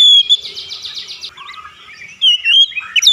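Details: Oriental magpie-robin (kacer) singing as therapy to get it to open its beak quickly: a rapid buzzy trill of repeated notes, then a pause and loud whistled, slurred phrases near the end.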